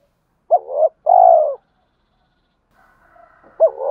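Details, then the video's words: Cooing male spotted dove used to provoke fighting and summon a mate: one complete low phrase, a wavering note then a drawn-out hoot, a soft humming note, then the next phrase beginning. "tiếng cu gáy mồi thúc đấu và gáy gọi hậu hai"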